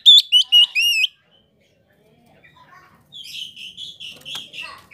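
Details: Oriental magpie-robin (kacer) voice used as a provoking lure: a quick run of ringing whistled notes, then after a pause a softer, muffled series of warbled notes.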